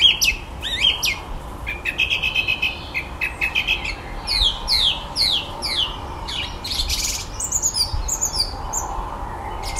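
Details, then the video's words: Evening garden song of a common blackbird with a repertoire of electronic noises: rapid sharp clicks, descending electronic-sounding sweeps and repeated high chirps in quick series, over a faint steady hum. "Blackbirds wonderful repertoire of electronic noises."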